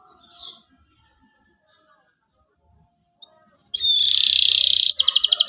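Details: Local canary song meant to teach young canaries: a few seconds of near silence, then a rising string of chirps swelling into a loud, dense buzzy trill and a final rapid beaded rattle.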